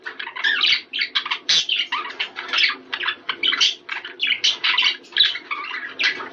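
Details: Budgerigars in a chatter offered to stimulate breeding: dense, overlapping chirps and warbled twitters, high and bright, pouring out in quick bursts roughly every half second with almost no pause.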